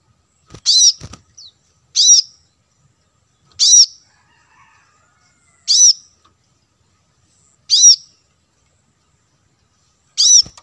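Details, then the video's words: Lure recording for wild birds of the plain-throated sunbird, locally kolibri kelapa: six shrill arched notes spaced about every one and a half to two seconds, with a few faint clicks. "suara pancingan kolibri kelapa"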